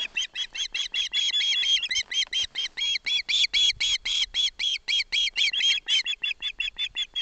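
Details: Young osprey in Barlinek Forest begging while its father delivers a fish and its mother stands by: continuous rapid chirping, piercing bright notes repeated around four times a second and growing slightly louder in the middle.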